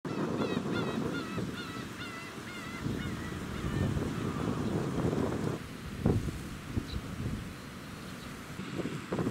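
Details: Black-tailed gulls at Kabushima Shrine, Japan, on 10 August 2019, give nasal, wavering mewing calls, several overlapping in the first few seconds, over steady wind and surf rumble.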